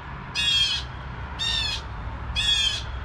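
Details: Three evenly spaced raspy squawks, roughly one a second, from blue jays alarming at 7 AM, each call harsh and buzzy against a quiet low background.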